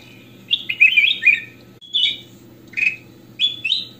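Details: Crystal-clear goldfinch (kutilang emas) song used as a model for other singing birds: an opening jumble of buzzy trilled notes, then spaced sharp chirps and rising whistled phrases, over a faint steady low hum.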